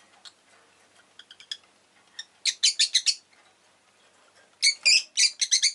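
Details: Rosy-faced lovebird chirping in rapid runs: soft ticking notes build into fast strings of loud, high, buzzy chirps, about five in each run, with a short pause between runs.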